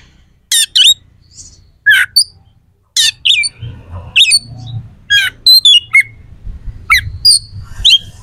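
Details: Kacer, an oriental magpie-robin in full song with harsh, sharp fillers used to rile rival birds before contests: a rapid series of rasping, chattering notes and short high whistles, closely spaced throughout.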